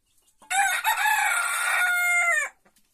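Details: Small rooster in a henhouse gives one loud crow lasting about two seconds: a harsh, broken opening, then a long steady held note that slides briefly downward at the end, with near silence before and after.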